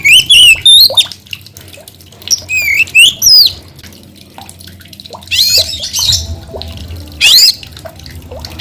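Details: Oriental magpie-robin singing vigorously: short bursts of bright, slurred whistles and rising sweeps, separated by quiet gaps, with a harsher noisy phrase near the middle.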